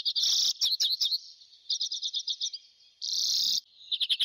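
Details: Arctic redpoll (Acanthis hornemanni) giving fast, dry, high-pitched chattering notes in quick bursts, broken by two longer buzzy, rasping notes, with no other sounds.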